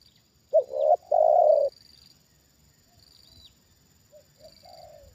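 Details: Spotted dove, a trained decoy bird, calls in response to a wild bird being brought down a second time: one strong hoarse coo phrase, then quiet, softer low coos trailing off, with a faint high whine behind.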